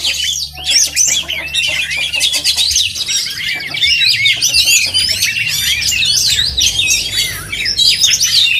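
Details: Contest oriental magpie-robin in full song: energetic rapid medley of sharp whistles, chirps and buzzy trills, some clipped repeated notes early on, continuous throughout with a low background hum.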